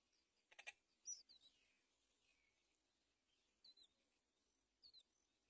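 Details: Great myna feeding its chick on a palm tree. It gives an opening rattle of scratchy clicks, then short, high, squeaky downslurred notes, mostly in quick pairs about a second apart, over faint background hiss.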